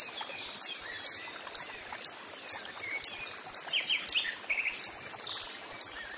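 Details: Wild coppery-headed emerald calling: crisp, thin, high-pitched ticks spaced about half a second apart, while another bird adds lower slurred chirps in the background.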